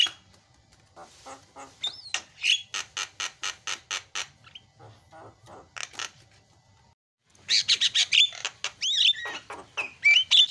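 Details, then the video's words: Javan myna, noisy isian tutoring song: a rapid series of loud, raspy clicks and squawks about four per second, a brief pause of near silence, then dense harsh chatter mixed with ringing, twisting whistled notes. "SUPER BERISIK JALAK KEBO SUARA ISIAN"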